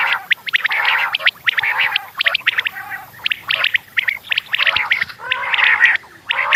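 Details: Quail in the morning chattering steadily in a busy chorus of short, bright chirps and squeaky notes, overlapping with no pauses. No other sounds stand out.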